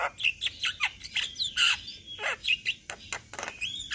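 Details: Javan myna chorus recorded in Indonesia, several birds singing together as a tutoring recording: rapid run of harsh chattering notes with clear whistled slurs mixed in, bursts repeating about every quarter second.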